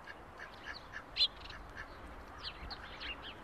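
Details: Ducklings in July giving short, high-pitched peeps, scattered through the clip, with one louder, sharper peep near the middle and several fainter chirps after it, over a steady low background hiss.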